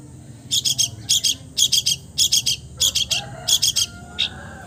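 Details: Long-tailed shrike (cendet) copying other birds, repeating tight clusters of three buzzy high chips about once a second, six clusters, then a lone chip.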